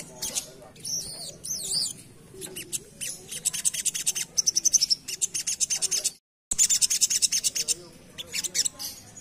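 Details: Asian pied starling singing in the rapid chattering ngerap style: varied high whistles, wavering slurred notes and bursts of quick scratchy clicks, broken by a brief silent gap.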